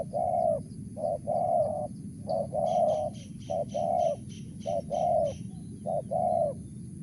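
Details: Wild spotted dove calling in the mersik style, a string of short-then-long coos repeated about every second, while another bird adds rapid faint high chirps partway through.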